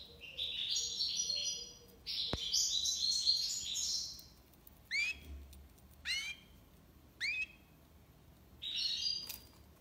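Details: Tiwawati-style song of a European goldfinch, Algiers, Algeria: a dense, jangling twitter of high notes, then separate rising whistled slurs repeated about once a second, with one sharp click early on.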